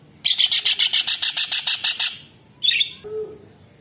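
A kingfisher gives a fast, harsh, high rattle of about a dozen clipped notes in two seconds, then one rasping squawk.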